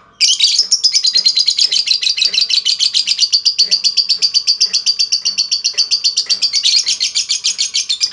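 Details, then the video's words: Lovebird giving a long 'ngekek' trill used as a lure to make other lovebirds sing: a sustained, dense, very fast rattling chatter of high notes, continuous for about eight seconds with slight shifts in pitch. "Auto Bikin Gacor Burung Lovebird Lain Dengan Pancingan LB Ngetik Lanjut Ngekek Panjang"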